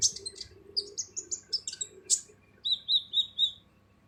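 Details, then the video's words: Kolibri ninja sunbird singing its harsh training song for other birds: a hurried string of thin, very high notes stepping up and down, a sharp burst, then four lower, steady buzzy whistles in a row. "MASTERAN KOLIBRI NINJA FULL SUARA KASAR"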